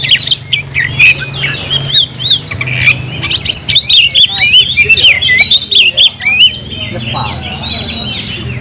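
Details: Energetic oriental magpie-robin song: sharp clicking chips and looping whistled phrases alternate in quick succession, some notes zigzagging in pitch; faint low hum behind.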